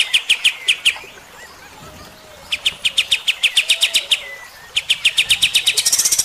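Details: Kapas tembak, or striated grassbird, song used as training material for other cage birds. Three bursts of loud, ringing, staccato notes repeated rapidly are separated by short pauses. Faint softer calls fall in the gaps.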